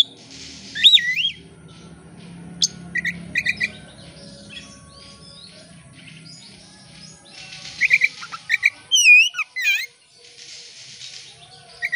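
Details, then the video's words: Oriental magpie-robin song to draw birds into singing: scattered whistled slides and chirps with hissy bursts, a looping high phrase near the end, and long quiet stretches. "Kacer gacor buka ekor pancingan kacer gacor langsung on"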